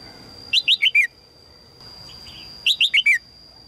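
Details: Red-whiskered bulbul female calling to draw a strong male, giving two bright four-note phrases about two seconds apart, each note a short warbled slur falling in pitch, with softer notes between and a constant faint high whine.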